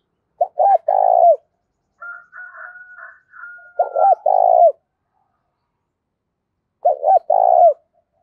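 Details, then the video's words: A spotted dove calling to lure wild doves, in the 'thổ cục dinh' voice style. It gives three quick coo phrases with long burred notes, while another bird's steady, wavering call sounds between the first two. "tiếng cu gáy gọi bổi nhanh nổi và rất sung mãn gáy gù xuất ngày, cu gay giong tho cuc dinh"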